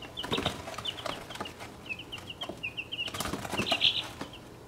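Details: Six 1.5-week-old chicks of mixed breeds (Welsummer, Cream Legbar, Plymouth Rock, Australorp, Buckeye, Wyandotte), kept in a cramped travel box, cheep in rapid high runs, mixed with sharp scratching and fluttering knocks, peaking loudly near the end.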